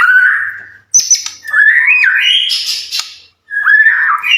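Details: White-rumped shama singing to trigger other shamas into answering: long mellow whistles, a sliding warbled phrase and brief harsh notes, separated by short silences.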